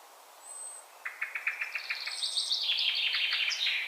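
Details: A Eurasian sparrowhawk (Accipiter nisus) gives a fast, even series of sharp 'kek' notes, about three per second, that climbs higher and grows shriller; a thin high whistle from another bird is heard twice.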